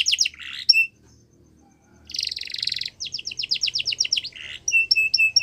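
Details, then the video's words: Yorkshire canary training song for young canaries, broken by a pause: quick falling whistles, a buzzy trill, a row of sharp descending notes and short clipped chirps. "Yorkshire Canary Singing | Canary Training Song"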